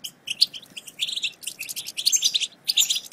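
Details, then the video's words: European goldfinch chatter in the batbata style, played to coax silent goldfinches into song. Quick, bright chips and twitters follow one another in short clusters with small pauses between them. "بتبتة وستستة رهيبة في تحفيز الحسون على التغريد - فعالة مع الحسون الصامت"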